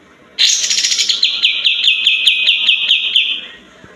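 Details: White-eared bulbul song, played as a lure to coax reluctant or silent birds into singing. An abrupt start leads into a fast, even rattling trill of about fifteen bright notes lasting three seconds, then fading.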